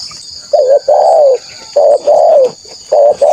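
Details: Loud, lively spotted dove used to lure wild doves, repeating paired mellow coos, a short note then a longer gently falling one, three times against a steady high-pitched hum.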